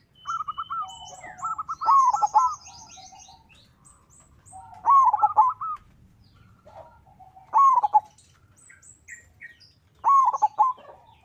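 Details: Lure song of a local zebra dove to get other doves singing: recurring loud bursts of rapid, rolling coos spaced a few seconds apart, with softer note runs between and high bird twitters in the background.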